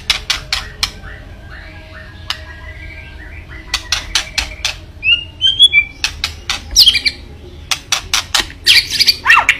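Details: Kretekan of a white-rumped shama, used to stir up a rival: rapid series of hard clicking notes, with short thin whistles and a few squeaky twitters woven between them.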